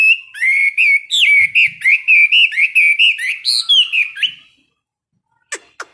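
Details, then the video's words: Caged Chinese hwamei in a morning singing practice of 15 minutes a day: a rapid series of rich, rolling whistled notes for about four seconds, then silence and two short sharp sounds. "Luyện hót cho họa mi mỗi ngày 15 phút vào buổi sáng đối với chim chơi giàn cứng"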